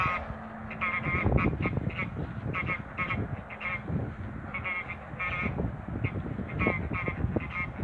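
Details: Backyard flock of six Toulouse geese of both sexes calling: repeated nasal honks in uneven runs, partly overlapping, beneath steady low thumping and rustling noise.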